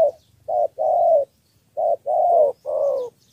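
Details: Close cooing of a spotted dove from Cà Mau, Vietnam, in the three-note 'thổ' lure style: a short hoot then a long coo, repeated, with a final drawn note; quiet background.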